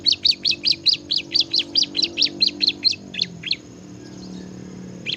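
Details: Bar-winged prinia singing hard in the ngebren manner: a steady, rhythmic string of about fifteen bright, high, sharply falling notes, roughly five per second, slowing at the end before a short silence, over a low hum.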